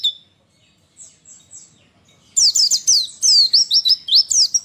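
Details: Pleci, a white-eye, female song to make reluctant males respond: a few faint thin down-slurred notes, then a loud, fast run of high twisting whistles for over two seconds.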